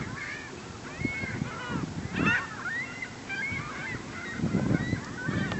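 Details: Hundreds of herring gulls crowded together at a neighborhood lake, calling continuously; a layered din of squealing, mewing and yelping notes, some thin whistled slurs, over low rumbling noise with occasional splashes.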